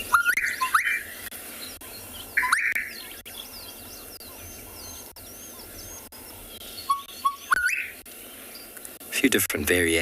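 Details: Played-back recording of a gorgeous bushshrike from a South African game reserve: clear whistled, rising phrases of two or three notes repeated several times, faint twittering behind, ending in a burst of noise.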